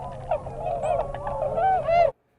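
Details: Tundra Swan call as heard when flocks fly overhead: a run of mellow, high-pitched whooping and yelping calls, several overlapping in quick succession over about two seconds.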